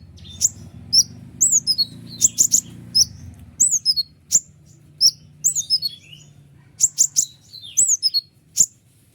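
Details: A white-winged triller's sharp song, recorded to provoke other trillers into answering: repeated high downward-bending whistles and tight chip bursts, evenly spread, over a soft low background hum.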